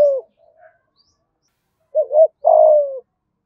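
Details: Spotted dove in Dong Nai, Vietnam, thúc gù style with a giọng thổ voice: the tail of one coo, a soft pause, then a single phrase of a wavering short note and a half-second falling coo.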